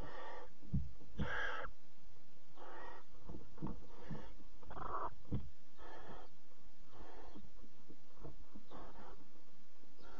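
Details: Barn owl mother bringing a bird to the fourth chick in a nest box at 03:00, 26 July 2017; a long run of rasping, screechy hisses, roughly one per second, some loud and harsh, with rustling movement throughout.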